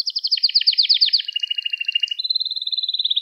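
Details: Canary song for training young singers: a dense rolling trill of rapid repeated syllables, dropping to a lower trill, then a steady high rapid-pulsed tour to the end.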